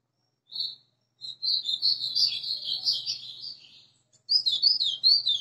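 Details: Kept white-throated seedeater, newly arrived, whistling its song: a brief high note, then a long, rapid, high-pitched warbling run of slurred whistles, a pause, and another burst of bright twittering phrases in a quiet room.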